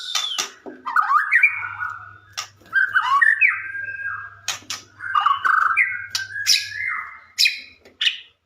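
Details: White-rumped shama song for luring other shamas into answering: mellow mid-pitched whistled slurs and warbles interspersed with sharp high clicks and chips, phrases flowing with short breaks; faint hum underneath.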